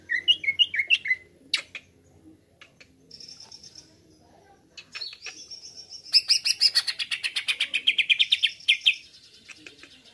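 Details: Greater green leafbird song used as a lure to excite other birds. Quick hooked whistles, a sharp click, a thin sustained whistle, then a dense rapid trill of repeated bright notes before a high drawn-out tone.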